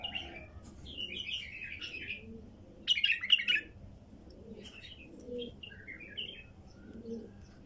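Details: A wild female bulbul sings short, bubbly warbled phrases, several dropping and rising in pitch, with a sharper burst of notes midway, over a low background rumble.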